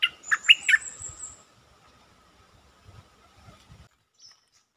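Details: Stripe-throated bulbul lure song: three loud, throaty, slurred notes in quick succession alongside a high thin whine, then soft low knocks and a faint high note.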